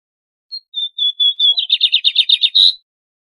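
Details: Song of a lined seedeater: clear sustained whistled notes at one pitch give way to a quick chattering trill of roughly nine buzzy pulses, closed by a louder rough note; no other sounds.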